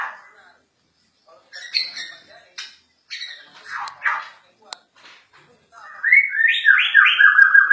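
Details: White-rumped shama of the Borneo form, agitated; scattered chattering notes, then a loud run of rapid rising and falling whistled phrases in the final two seconds.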